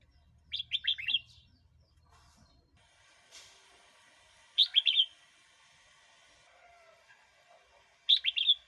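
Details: Red-whiskered bulbul singing, a recording used to provoke wild birds or tutor young ones: three short, lively whistled phrases of four or five notes each, spaced about three and a half seconds apart, with quiet pauses between.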